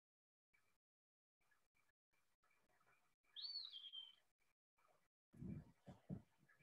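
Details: An Eastern Wood-Pewee, a spring migrant in Illinois, gives a single clear, slurred whistle that rises and then drops, a sweet pee-yur that says its name. A man speaks briefly just afterward.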